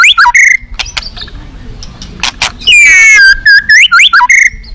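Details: White-rumped shama competing at a song contest, described as fierce with rich fill-in phrases: a few clicks and faint notes, then a long falling whistle and quick rising and falling slurs, strongly harmonic and loud.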